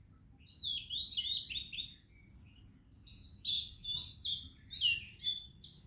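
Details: Morning singing of an Oriental magpie-robin in India: a string of sweet, downslurred whistles followed by louder, busier chirping phrases, backed by a steady ringing insect tone.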